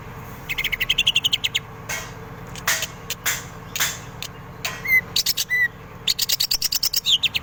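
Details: Greater green leafbird from Indonesia in lively song with kingfisher mimicry: bursts of rapid, evenly spaced sharp notes alternating with short clear whistles and loud knocking clicks, over a steady low hum.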